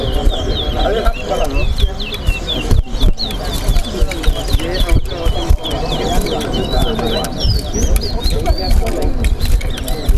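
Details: Towa towa, the chestnut-bellied seed finch, competing in a whistling contest at Better Hope bird ground. It gives a long, rapid string of bright whistled notes and warbles with brief pauses. A talking crowd murmurs beneath.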